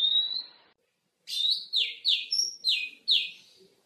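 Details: Oriental magpie-robin (kacer) song from a training recording for kept songbirds: a single whistled note, a short silence, then a lively run of six rich, chirping, downslurred notes with bright overtones, rapid and varied.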